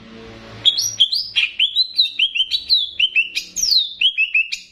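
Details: Banyuwangi greater green leafbird master song with bebeci-style phrasing: a quick, continuous chain of bright whistled notes, each sliding down in pitch, about four per second.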